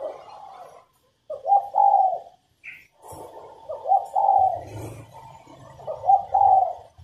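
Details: Spotted dove female cooing to encourage males to sing: a long muffled coo, then two phrases of rich, slightly wavering coos rising in strength, with a short high chirp and low rumbling underneath.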